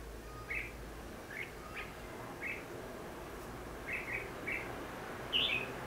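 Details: Red-whiskered bulbul used in fight-trapping on 14 December 2015, singing a fighting song as a lure: short, bright chirped phrases spaced one to two seconds apart over a steady low background hum.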